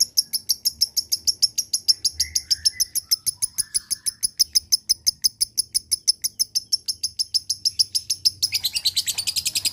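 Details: Long ngekek from a lovebird, the sound meant to push lazy birds into chattering: an unbroken run of fast, high, metallic kek notes, around three per second, turning harsher and denser near the end.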